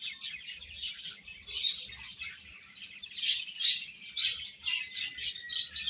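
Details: Young chickens peeping together in a steady, busy flock chorus of shrill high chirps, rising and falling in loudness, with a soft low background hum.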